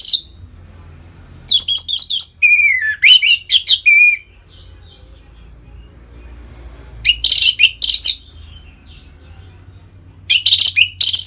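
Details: Captive-bird stimulation recording of orange-headed thrush ngeplong song: a high, scratchy phrase slides down into clear whistled notes, then after a silence two harsh, dense bursts of high chatter. Low hum underneath.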